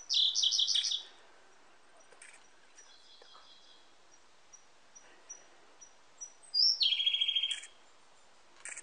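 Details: A Siberian blue robin singing in a forest gives two loud, fast, rattling trills about six seconds apart. Soft, high ticking notes lead into the second trill, and a few faint clicks sound between.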